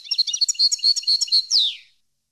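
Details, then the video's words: Captive-training goldfinch song: a cheerful jumble of bell-like twitters at a brisk, even pace, rounded off by a nasal buzzy note that slides downward and fades. "Canto Para Educar Jilguero"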